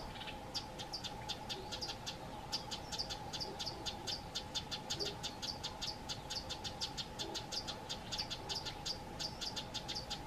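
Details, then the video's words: Female Amethyst sunbird frantically scolds a pair of Fork-tailed Drongos too near her nest: sharp, high ticking notes about four a second, unbroken, over a steady low insect-like drone. "Amethyst Sunbird female rowing Fork-tailed Drongos that are too near her nest"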